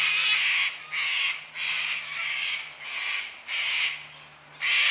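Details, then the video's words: Noisy cockatoos on a quiet Sunday afternoon near 5 pm in daylight saving time, giving about six loud, grating squawks in a fairly steady series, with a steady low drone in the background. "cockatoos making noise on a quiet sunday afternoon"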